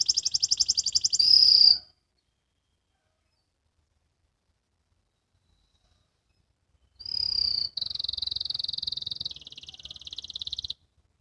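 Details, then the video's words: Young canary learning to sing, ngriwik style: fast trill and whistle, several seconds of silence, then a whistle followed by buzzing rolls dropping to a lower pitch. "KENARI BELAJAR BUNYI, BELAJAR NGRIWIK"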